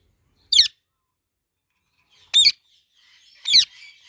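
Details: Pet parrots feeding on mango utter three loud, grating squawks, each brief and separated by one to two seconds of quiet.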